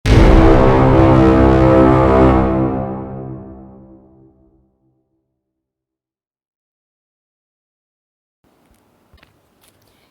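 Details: A deep, rich musical chord swells and slowly fades over four seconds, then near silence with a few faint clicks.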